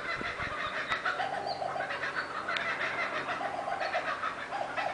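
Kookaburra giving a dense, rolling chorus of chuckling, cackling notes that rise and fall without pause, with faint higher chirps behind.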